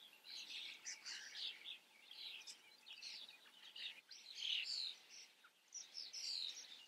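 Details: Common starling under observation giving a steady chatter of high scratchy squeaks, clicks and thin whistles, the phrases rising and fading without a regular beat, with no other clear sounds.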